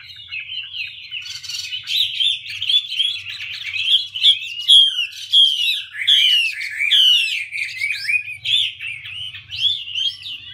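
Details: Chinese hwamei, a female dancing with fanned feathers to stir the male into quickly firing up; loud, rich run of varied whistled and slurred phrases, rising and falling, with sharp downswept notes, almost continuous over ten seconds.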